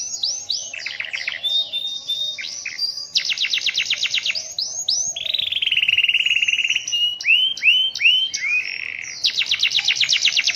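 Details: Canary in full, lively song during the rainy season, with a long, distinctive roll: fast chattering trills and rapid sweeping notes give way to a smooth, steady rolling trill, then further quick stuttering phrases.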